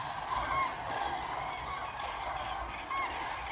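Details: Far-off flock of common cranes on Bodden meadows near Ribnitz on Germany's Baltic coast: a continuous murmur of massed calls with a few distinct bugling notes standing out.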